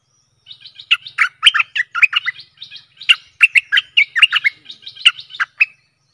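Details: Stripe-throated bulbul song meant to lure aggressive wild birds. A steady, chattering stream of bright, bubbly notes runs for five seconds, with soft high twitters leading in.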